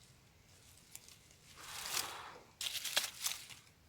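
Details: Crinkling and tearing noises with rustling bursts are heard, and no animal calls.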